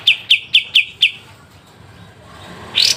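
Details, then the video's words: Pied triller song with a sharp trill, five clipped high notes repeated in quick succession, then a pause and a brief rising note at the end. "Masteran full kapas tembak dengan besetan tajam"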